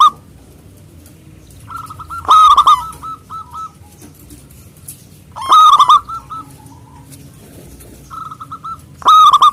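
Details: Loud-voiced local zebra dove singing to draw out rivals: three loud, rolling, trilled coo bursts about every three to four seconds, each answered by fainter clipped whistled notes.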